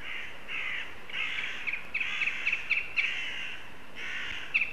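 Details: Northern goshawks chatting in Riga, 22 September: a run of nasal, harsh call bursts, each about half a second long, repeated in a loose series of roughly six, with a few sharp clicks between them over a steady background hiss.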